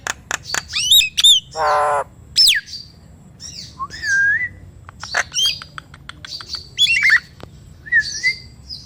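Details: Nias hill myna song used to provoke quiet mynas into singing: clicks and stacked falling whistles, a harsh nasal burst, looping whistled glides and scattered sharp notes with pauses between.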